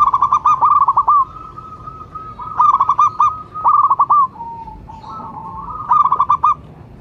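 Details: Local-strain zebra dove calling steadily, described as a lure and prompting call. Bursts of rapid, pulsed cooing notes roll into short trills, followed by smoother sustained coos, recurring every couple of seconds with faint background hiss.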